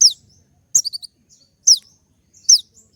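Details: Kolibri ninja sunbird giving sharp, high downward-slurred notes almost every second, with one brief cluster of quick twitters, in a clean recording.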